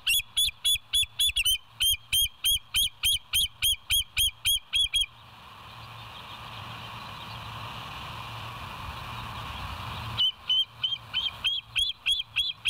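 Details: Bald eagle from the West End nest cam, 07/09/2023, 06:24, chattering in a long run of rapid high piping notes, about three per second, pausing for several seconds of hissing background before resuming the squeaky series.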